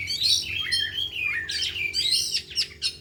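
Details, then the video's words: Afternoon session with four oriental magpie-robins all in song, unloading their repertoire: loud rich whistled warbling with rolling trills and rising notes, ending in a few separate sharp chirps. "Latihan Kacer di Sore Hari Biarpun Hanya Burung 4 Tapi Jalan Semua dan Bongkar Isian"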